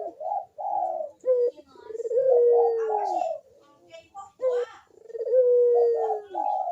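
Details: Barbary dove giving its lively manggung 'kuk deruk' coo, used as a lure to get reluctant doves to call: short hoarse notes, then a long, steady, slightly falling coo. The phrase repeats about every three seconds.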